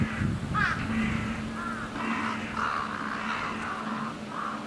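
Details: Crow at Chiba zoological park pecking at a mouflon; a run of harsh, hoarse caws in quick irregular succession, some rising and some flat, over a steady low hum.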